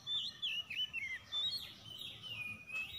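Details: Magpie-robin song in a morning exchange of rough lure phrases: fainter wavy whistles and short twitters repeated rapidly over a steady background hiss.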